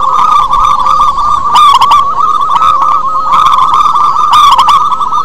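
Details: Local zebra dove with a big, loud voice, used as a lure to prompt doves that seldom sing: dense, continuous run of rapid arched cooing notes at steady mid pitch, broken by brief harsh broadband bursts around the second and fourth seconds.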